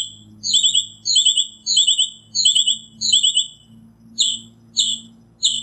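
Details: Northern mockingbird singing: high, rapid chattering phrases, each quickly repeated several times in a row, then shorter separate bursts toward the end, over a faint low hum.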